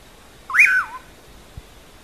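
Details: Bacurau, or common pauraque, giving one clear whistle that sweeps up, levels off and drops away, heard as 'amanhã eu vou'. A faint low thump follows about a second later.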